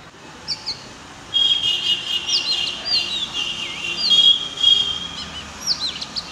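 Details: Oriental magpie-robin song, which males use to attract mates and defend territories: a varied run of clear, sweet whistles, slurred up and down, with some held notes and short trills. The song grows louder after the first second.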